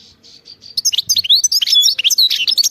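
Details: Wild-style khalawi song of a European goldfinch: soft, spaced opening notes build into a dense, fast run of high, liquid twitters and slurred whistles.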